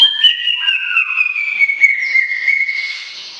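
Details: Greater green leafbird (cucak ijo) giving a long whistled strain, a bright wavering tone gliding gradually downward, with a lower accompanying note early on and a raspy texture building toward the close.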